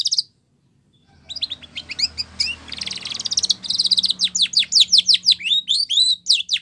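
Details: Spanish Timbrado canary song used for training canaries: after a short pause, scattered chips build into a buzzy rolling passage, then a steady run of sharp descending notes.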